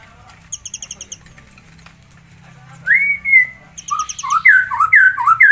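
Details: Tame captive forktail singing as a master song: a few high ticking notes, then a fast run of loud, slurred whistled phrases rising and falling, repeated about twice a second, with a low steady hum beneath.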